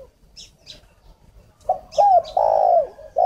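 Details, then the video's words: Decoy spotted dove for luring, from a dove garden in Ba Vì, Hanoi, Vietnam. After a quiet start with two high chirps from other birds, the dove gives a loud, rising then falling rolling coo phrase ending in another short coo. "File Chim cu mồi"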